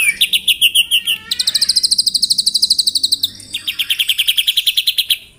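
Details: White-rumped shama morning song intended to provoke rivals: rapid pulsed trills changing pitch in three sections, about three notes per second in the rhythm, with a brief thin whistle between phrases.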